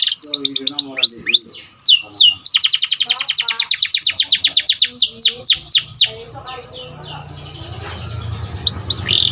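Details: White canary singing a training song, with fast down-slurred whistles, a long steady trill of rapid repeated notes, then sweeping notes fading into a quieter, noisier stretch.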